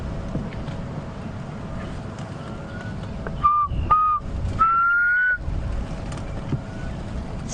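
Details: A just-returned black cuckoo gives its mournful three-note whistle at sunrise on 16 October 2015 in South Africa, along drainage lines in a chilly cold-front wind: two short level notes, then a longer rising one, like 'I'm so sad', over engine rumble.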